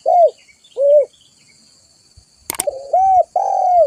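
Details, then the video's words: Spotted dove, recorded for luring and tutoring, gives two short falling coos and then, after a sharp click, a longer phrase of low mellow coos that drawl downward. A faint high hiss runs behind. "Suara burung tekukur gacor buat Pikatan"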